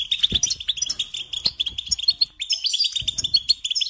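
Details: European goldfinch song for songbird training: dense, high-pitched twittering with bright chirps and buzzy notes, punctuated by a few faint low taps.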